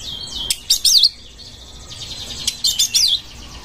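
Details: Oriental magpie-robin in breeding condition, its song used as a lure for other birds. The same short twisting whistled phrase is given twice, about two seconds apart, over steady hiss.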